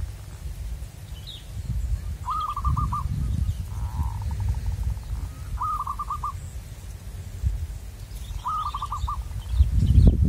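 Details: Wild local zebra dove, encountered while luring birds for capture, sings three quick rolling phrases of about five clipped cooing notes, spaced roughly three seconds apart, with a softer fading trill between them over steady low rumbling background noise.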